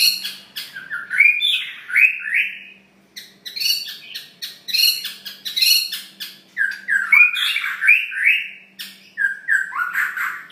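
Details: White-rumped shama with a long tail in energetic gacor song full of isian phrases: rapid, varied chattering and rising whistled slurs, sharp clicks and short bursts pouring out almost without pause, with one brief lull.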